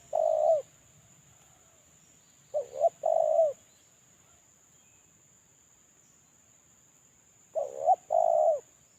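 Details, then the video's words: Spotted dove kept as a caged lure bird during its moult, giving three cooing phrases spaced several seconds apart, each a brief quavering two-part note and a drawn-out level coo; thin constant electronic whine in the background. "Suara terkukur suara pancingan terkukur"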